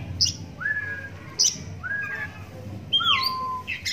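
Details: Oriental magpie-robin in captivity, one-eyed from a cataract, giving long drawn-out whistles that slide downward, mixed with short high squeaky notes, over a low background hum.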